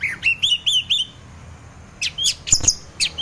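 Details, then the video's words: An orange-headed thrush in full song, used in the morning to stimulate other thrushes to sing. It gives a run of four high, slurred whistled phrases at quick, even intervals, a pause, then sharper, scratchy high notes with piercing squeaks. "anis merah teler, pancingan anis merah lain untuk merangsang bunyi dipagi hari"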